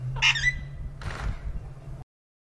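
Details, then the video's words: Rose-ringed parakeet, described as talking, recorded in Bahria Town, Lahore, Pakistan: one short harsh squawk with stacked bright overtones near the start, then a softer rough burst about a second later, over a steady low electrical hum. "Ringneck Parrot Talking"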